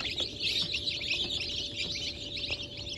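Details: A crowd of freshly hatched chicks of Brahma and Wyandotte breeds, hatch dated 4 August 2024, giving shrill overlapping peeps in an unbroken, busy chatter over a low constant hum.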